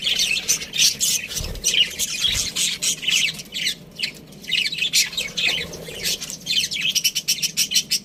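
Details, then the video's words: Budgies give sharp squawky chirps and rapid warbling chatter in pulsing bursts, rising to a fast run of clipped notes at the end; low thumps in between. "budgie chirping sounds | parakeet sounds"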